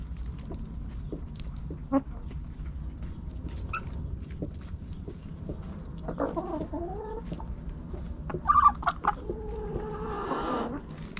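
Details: Backyard hens and roosters pecking and scratching; quiet ticking and scratching, then a few short clucks and a rising drawn-out cackle late in the clip over low background hum.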